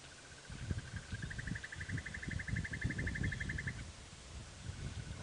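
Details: Male Red-crested Korhaan clapping his bill during a sunrise drive on 23 November 2017 in South Africa, doing only about half his display call because it was still chilly. A rapid, even train of dry clicks lasts about two and a half seconds over steady wind and rumbling noise.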